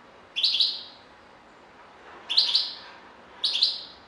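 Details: European goldfinch giving three short liquid twittered phrases, each under a second, spaced about one to two seconds apart with quiet between.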